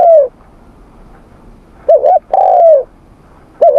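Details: Morning voice training of a spotted dove: a short two-humped coo followed by a long, smooth falling coo, with the phrase starting again at the end.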